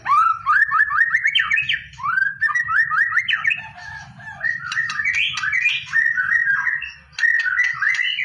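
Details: White-rumped shama song for singing-contest preparation: repeated rising whistled phrases in quick series, each climbing step by step, mixed with sharp high ticks and a few lower warbles, with a faint low hum behind.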